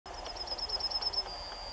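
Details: Yellowhammer singing in the UK, filmed with a Canon SX50HS: a fast run of thin, high, evenly repeated notes, then one long, drawn-out final note on the same high pitch, over a quiet background.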